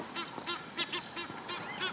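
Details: Several territorial Egyptian geese along the Luangwa River, Zambia, during breeding season, fighting over nesting territories, give harsh, nasal honks in quick succession, about three to four a second, overlapping.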